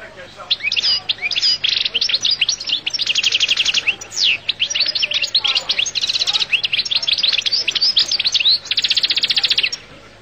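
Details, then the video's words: Goldfinch singing loudly in near-continuous twittering: tinkling high notes, fast buzzy trills and sweeping slurs run together with barely a pause for ten seconds. "تغريد حسون القل"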